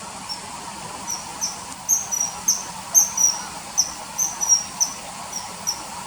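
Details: Common kingfisher calling in a riverside setting: thin, high whistled notes repeated in quick, uneven series, some doubled, over faint steady background hiss.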